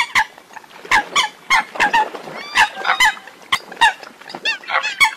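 Eurasian coots give short, nasal, honking calls, roughly two or three a second, overlapping as though several birds are calling together.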